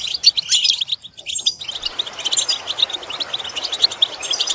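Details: European goldfinch singing for song-training lessons: sharp high chirps open the phrase, a brief pause follows, then a steady rapid twitter of tinkling notes runs to the end.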